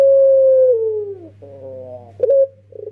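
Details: Young Barbary dove kept as a decoy, starting with a long sustained coo that slides downward, then a quieter rolling note, a short bright accent, and quick pulsing beats. Faint continuous low hum in the background.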